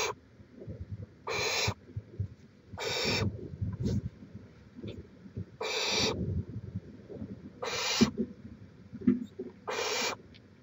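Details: Barn owl at the nest, recorded by a live nest camera in Chula Vista, California, on 18 May 2017: harsh broadband hissing screeches about half a second long, repeated every one to two seconds, with faint rustling and background noise.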